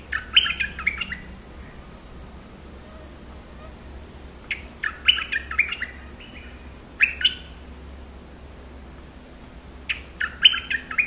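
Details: Streak-eared bulbul singing in short, lively bursts of slurred, chirpy notes, each phrase about a second long and repeated four times with pauses of roughly two to three seconds; a faint steady background hum throughout.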